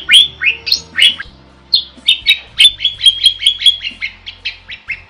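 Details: Strongly singing starling, intended as a tutor for songbirds; bright whistles give way to a quick train of short, sharp, evenly pitched chirps.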